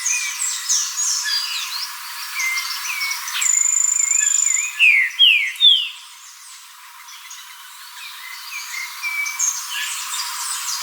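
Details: Green-winged saltator song: a short phrase of three bright, falling whistles, each about half a second apart. A busy chorus of high chirping birds continues underneath.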